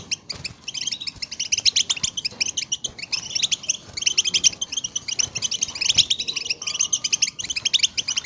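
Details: European goldfinch group chatter intended to excite goldfinches into song: steady, dense high-pitched twittering and tinkling calls from multiple birds overlapping across the whole stretch, with occasional soft clicks.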